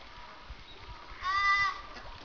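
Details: A domestic duck of a mallard-like breed gives one nasal, buzzy, slightly wavering quack about half a second long, over a low rumble; recorded 10 January 2009 in Asahiyama Park, Iwanuma, Miyagi, Japan, while swimming alongside mallards.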